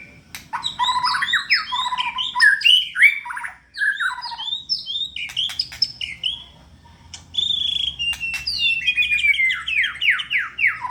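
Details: Active white-rumped shama prepared for contests delivers rich song of rapid falling whistles and high chirped phrases, with a brief pause midway and faint low noise.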